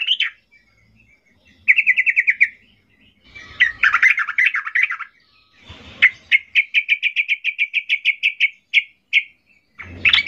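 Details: Yellow-vented bulbul singing aggressively in search of a rival: bursts of harsh chatter alternate with rapid runs of evenly repeated bright notes. A long even trill runs near the end, with faint background noises between phrases.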